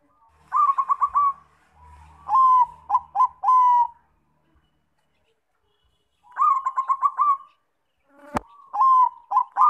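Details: Zebra dove of the Bangkok type, played as a lure to make other doves sing: stuttering bursts of rapid pulsed coos followed by a drawn-out note, repeated in two phrases, with a sharp click near the end.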